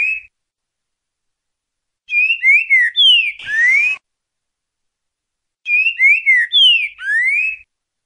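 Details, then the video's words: Green-winged saltator singing two loud, rich whistled phrases of sliding notes, each about two seconds long and a few seconds apart, with one brief click between; the song of the "boi" type, used to train birds. "Trinca ferro boca mole ti boi"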